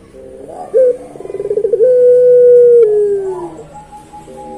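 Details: Puter pelung long song: a sharp upward note, then a fast throbbing roll that merges into a long, even low hoot drifting downward at the end.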